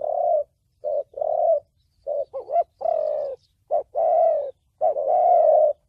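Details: Spotted dove in thổ bầu voice, a recording for trapping and decoy training: hoarse low coos in short-long groups, one burst with quick wavering notes, the long notes swelling and slightly falling.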